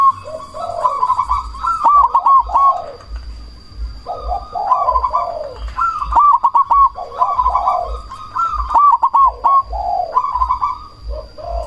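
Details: Zebra dove of the black cemani type, a lure call meant to make rival doves answer and stir breeding drive; loud rolling, stuttered coos repeated every two to three seconds, more than one bird calling, low hum beneath.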